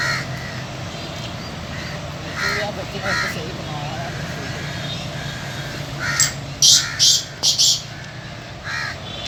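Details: A caged Sindhi latto grey francolin calling on a very windy, stormy day: loud, harsh, ringing calls with a rapid burst of three or four near the end, faint speech and background noise throughout.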